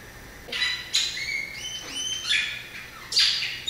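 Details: Variable oriole singing a quick phrase: raspy, scratchy bursts mixed with clear, level whistled notes that step upward, ending in another harsh, buzzy burst.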